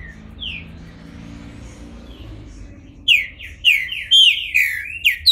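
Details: Bald Green-winged Saltator, caged in Brazil and coming out of moult. A few faint whistled notes come first, then a burst of loud, rich, slurred phrases rising and falling in quick succession.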